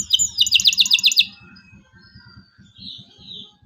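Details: Local canary in lively 'cuit cuit' song, played to prompt young canaries to learn to sing: a fast, bright trill of about eight sharp repeated high notes, then softer thin warbles, over a low rhythmic thumping in the background.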